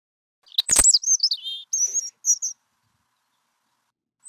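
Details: European Robin song, in a season when both males and females sing to defend winter feeding territories, described as wistful, melancholy or plaintive: a short burst of high, thin, warbled notes and twitters lasting about two seconds, then silence.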